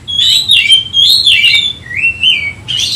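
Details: Oriental magpie-robin, worked up and seeking a rival, giving a few long, loud whistled phrases, one sliding upward, ending with a short scratchy burst.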